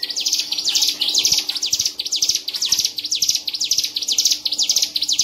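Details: A Hill prinia singing without pause at a songbird contest in Medan on 7 March 2019, where the caged bird won. It gives a continuous stream of high, buzzy, trilled chirp bursts, with a steady low hum and scattered faint clicks beneath.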